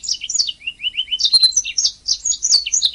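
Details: Continuous canary song from a master recording for training canaries: rolling low trill notes followed by dense high chirps and warbles without a break.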